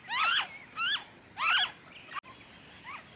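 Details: Noisy friarbird in Victoria, Australia, February 2023, giving three loud grating, nasal squawks with a rising-then-falling shape, followed by two fainter notes after a brief break.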